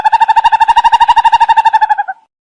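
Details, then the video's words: Owl call: a loud, fast run of even, hollow hooting pulses at a steady pitch that continues for about two seconds, then stops abruptly, followed by silence. "Tiếng chim Cú(Mèo)"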